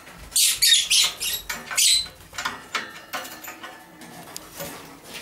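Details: Pair of young male masked lovebirds, 7-8 months old, edged blue colour forms, moulting and over-preening each other; rapid harsh squeaky chatter, loud at first, then a string of softer clicks and chirps.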